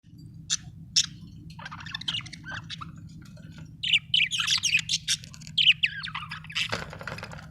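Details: Happy pet budgerigar singing: scattered bright chirps at first, then a dense run of warbling, chattering notes in the second half, over a steady low hum throughout.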